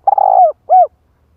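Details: Spotted dove kept as a decoy to lure wild doves. A single fragment: a long, buzzy, rolling coo that slides down, then one clear arched coo.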